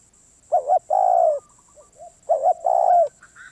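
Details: Spotted dove, said to be a stubborn wild bird, repeats its coo: a clipped two-note opening, then a sustained falling coo, and a few soft low notes between the phrases. A constant thin high-pitched hum runs underneath.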